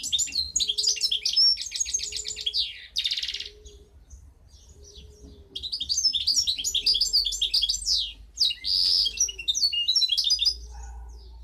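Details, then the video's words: Goldfinch hybrid (mixto jilguero) hatched in 2015 sings rapid, bright twittering phrases with buzzy trills and brief pauses, over a soft low note repeating about every second and a half. "Mixto jilguero"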